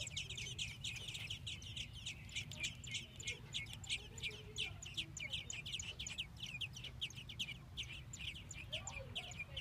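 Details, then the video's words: American robin nestlings in a nest in Minnesota, fed by the female and male parents, give dense, rapid, high, squeaky chirps repeated throughout over a steady low hum. "Baby Robins in Nest Being Fed"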